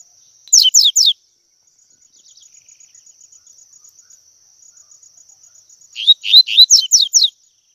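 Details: Double-collared seedeater singing tui tui, meant to train young birds: a short run of three sharp descending notes, a long stretch of faint rhythmic insect-like ticking, then a loud phrase of rising and falling slurred notes.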